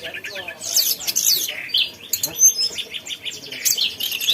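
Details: Energetic mountain tailorbird song: busy bursts of high chirps and buzzy trills, with a few thin, very high whistles mixed in.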